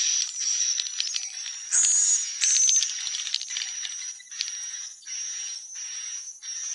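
Swiftlets twitter in high, dry chirps and rattling clicks over a thin, steady high-pitched tone, with bursts of louder chattering.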